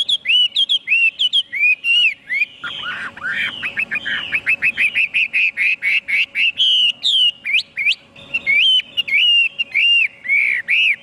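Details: Chinese hwamei singing a dense, varied stream of whistles, quick trills and looping slurred notes with hardly a pause, loud and close.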